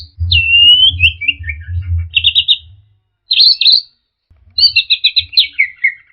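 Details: Orange-headed thrush song used as a lure to stir a stressed, silent bird into singing: a long whistled note near the start, then bursts of rapid trilled phrases and descending chattering notes, with a low hum underneath.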